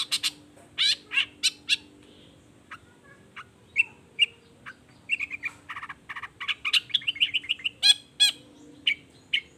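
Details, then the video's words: Long-tailed shrike in full song, meant to prompt other shrikes to answer: a long run of short, harsh, buzzy bursts mixed with quick chirps, densest in the second half, with a steady low hum behind. "Cendet Gacor Efektif Pagi Siang Sore Rajanya Bikin Cendet Lainya Spontan Nyaut Bunyi Penuh Emosi"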